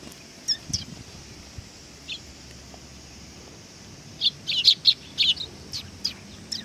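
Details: Sparrows arriving for food at a Tenmangu shrine, 18 August 2020, give scattered thin chirps, then a lively cluster of sharp high tweets midway and a few more near the end.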